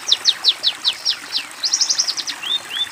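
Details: Master song of a long-tailed shrike for tutoring juvenile birds: about seven evenly spaced, steeply falling whistled notes, then a rapid burst of clipped chirps and two short rising slurs at the end.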